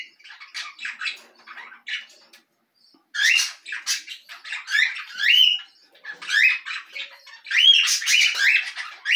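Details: Belgian canary giving a run of chirps and rising-falling whistled notes, soft at first, then louder clustered phrases after a brief silence, some notes squawky.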